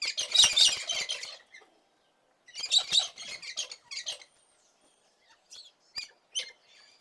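Cockatoo giving two long, harsh, rasping screeches about a second apart, followed by several shorter, sharp squawks.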